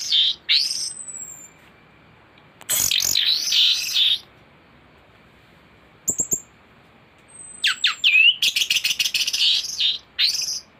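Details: Thrush song recorded as tutoring material for other birds: loud looping whistled warbles, a thin drawn-out high whistle, sharp clicks, then a fast run of rapid chirps and trills.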